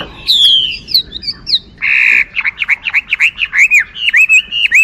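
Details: A hwamei sings: a long falling whistle, a brief harsh burst, then a lively string of short looping whistled notes.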